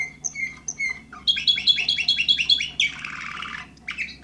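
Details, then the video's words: Canary of the Orpheus breed, bird number 24 from 2014, with low whistles followed by a fast trill of rising chirps, then a broad rasping roll and short closing notes. "canary orpheus 2014 number 24"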